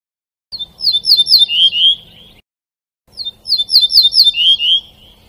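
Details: Caged European goldfinch singing: two bursts of bright, high twittering phrases with quick rising and falling notes, each lasting about two seconds and separated by a short silence.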